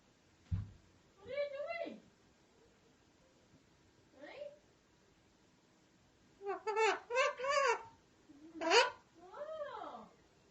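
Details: Alexandrine parakeet mimicking speech: a low thump, then a harmonic word, a faint short syllable, and later a lively cluster of three or four speech-like sounds ending in a descending harmonic phrase, over a faint background hum.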